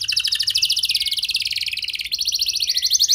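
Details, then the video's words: Canary singing to lure other canaries into song: continuous dense high rolling trills of rapidly repeated notes, shifting pitch and tempo every second or so without pause. "Pancingan Burung Kenari Biar Gacor Lagi!"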